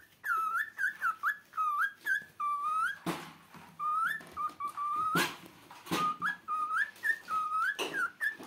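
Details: A pet cockatiel perched on a cover sings a string of clear, rising and falling whistled phrases, with a few sharp taps.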